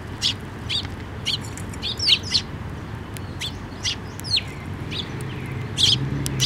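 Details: Sparrows gathering to be fed on a bridge over water at a shrine in May 2024: scattered sharp chirps and a few slurred tweets spread across six seconds, with a soft low rumble beneath.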